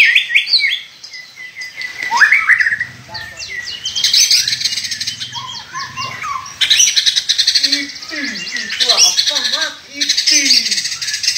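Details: Agitated white-rumped shama singing to push other shamas into song: dense buzzy chattering and high trills overlaid with quick lower whistled notes, continuous and energetic.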